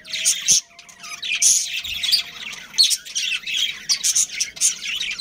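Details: High chittering and squawking from a captive budgerigar breeding pair and its colony, harsh bright notes tumbling in irregular bursts, a faint steady hum underneath.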